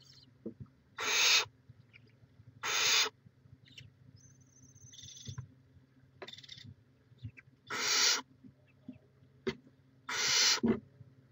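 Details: Barn owl nest in Chula Vista, California, live camera, 18 May 2017: a series of six harsh hissing screeches over eleven seconds, with small clicks, a thin faint whistle and a constant low hum.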